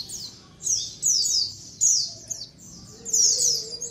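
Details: White-eyes calling as a colony, a recording used as a lure. High, thin downslurred chirps come in bursts about every half second to second, several birds overlapping, with a faint lower whistle near the end.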